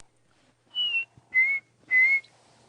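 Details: A Chinspot Batis, called the breakfast bird, gives three clear, pure whistles about half a second apart, the first higher and the next two lower and level, on a peaceful misty safari morning.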